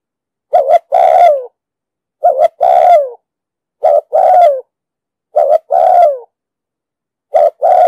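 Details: Five steady phrases of spotted dove cooing in the 'giọng đồng sấm' style, used as a trapping lure and to train decoy birds: a clipped two-part note, then a full, gently falling coo, with gaps of over a second, nothing else audible.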